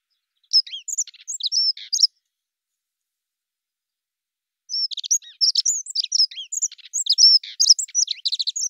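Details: Dunnock singing two quick, tinkling warbled phrases of high, jumbled notes, a short one and then a longer one after nearly three seconds of quiet, in a clean recording.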